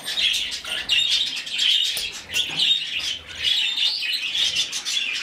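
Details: Budgerigar chick, rescued and hand-fed, calling in insistent raspy, buzzing begging bursts that pulse rapidly and rise in waves.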